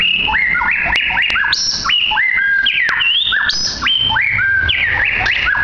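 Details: Caged white-rumped shama, about two years old, kept at a coffee shop in Sidoarjo, Indonesia, said to sing nonstop: loud, varied whistled phrases with sharp rising and falling slurs and high clear notes, sung continuously.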